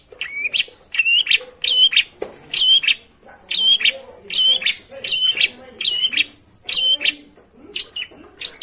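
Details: Lure sound of a long-tailed shrike for provoking a quiet bird into song: a steady series of bright, slightly buzzy notes, each with a clear whistled core, repeated about once every second in short pairs.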